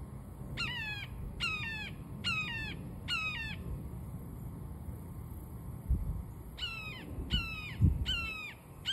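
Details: Recently fledged young red-shouldered hawks on 13 June 2023 give harsh, slurred kee-ah calls: four about a second apart, a pause, then three more, over a low outdoor rumble.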